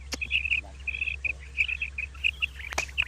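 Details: Morning calling of two common quail (batair), kirk karkar: quick series of short, bright, high chirps in small groups, with two sharp clicks and a steady low hum.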